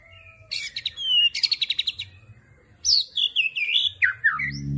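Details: Murai batu (white-rumped shama) song: dense buzzy trills in two bursts, then a fluid run of whistled, looping notes sliding down and up, ending as a low hum comes in.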